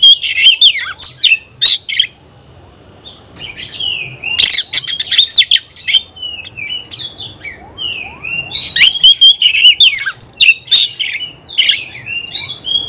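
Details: Competing kacer (Oriental magpie-robin), excited and aiming its song at an opponent: near-continuous torrent of loud whistles, chattering trills and rasps, with brief lulls filled by fainter whistled phrases.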